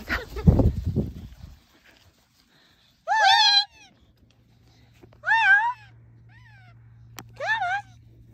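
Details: Macaw at play, indoors: after some muffled rustling, three wavering nasal calls rich in harmonics arrive about two seconds apart, the last one softer.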